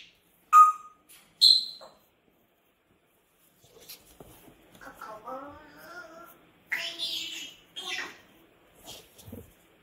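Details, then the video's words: A pet grey parrot screaming, which its owner is trying to deal with: two loud, shrill, whistle-like screeches within the first two seconds, then a person talks through the rest. "Mon gris du GABON crie"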